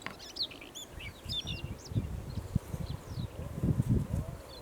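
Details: Siberian rubythroat singing in July 2020: quick, varied high warbled phrases with sharp rising and falling whistled notes, over steady low rumbling noise.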